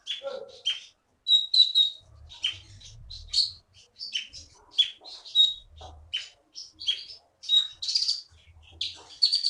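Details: Contest-winning caged bird from the Bangka forest sings a busy, varied song of short sharp chirps and whistled notes, repeated in quick bursts with brief pauses between phrases.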